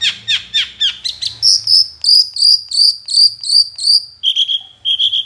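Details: Long-tailed shrike in active song, meant to draw other shrikes into singing: quick repeated chirps giving way to a buzzy, insect-like trilling series of high pulsed notes, then a lower rattling trill.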